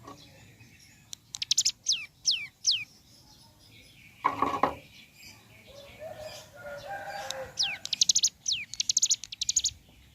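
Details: Morning song of ciblek gunung: several descending whistles and buzzy bursts, interrupted by a brief rustling flutter and low background murmur, then the high buzzy rattles and falling whistles resume.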